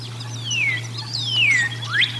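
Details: Bald eagle at the Decorah North nest during a feeding, recorded by nest camera, dated 04 01 2022: three high, whistled, sliding notes, the first two falling and the last rising sharply, over a steady low electrical hum.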